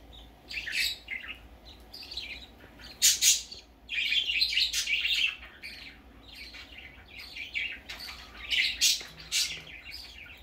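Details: Budgerigar chick on its first time out, producing lively chirps and scratchy twitters in loose bursts, a few loud sharp notes standing out.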